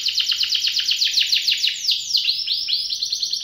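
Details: Canary song with rolling variations, meant to teach young canaries. A fast, rattling trill of bright descending notes slows to a few longer swooping notes, then speeds up again, over faint background noise.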